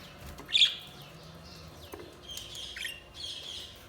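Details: Budgerigar chirps over a faint background hiss: one sharp bright chirp early, then scattered quieter twitters and short downward-sliding notes.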